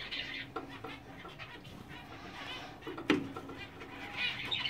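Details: A pair of English zebra finches, a black-face male and a dominant-silver female, giving short nasal, buzzy notes over a steady background hiss.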